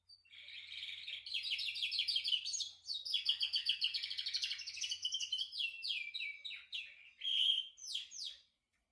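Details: Canary song: a fast, high, continuous warble of rapidly repeated notes and trills, rolling through several tours before ending in a few separate sharp notes.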